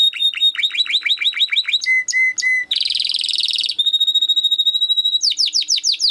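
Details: Training song from a Timbrado canary: hooked repeated notes, three pure lower whistles, a dense buzzy roll, a long steady whistled trill, then a fresh burst of steep downward-swept syllables.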